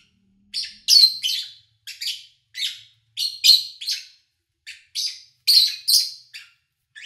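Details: Lovebirds recorded in early August 2019 with little engine or human noise: sharp, harsh chirps in short bursts, spaced unevenly about every half second, with brief pauses between clusters.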